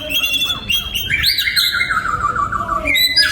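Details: Oriental magpie-robin kept in a breeding aviary, singing a varied phrase: short high chirps, then a long clear whistle that slides slowly downward, ending with sharp rising notes.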